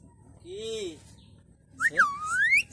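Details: A pet common myna (shalik) that talks, befriended like mother and child, gives a short, low, wavering voice-like note, then a loud, clear whistle that dips and climbs steadily upward.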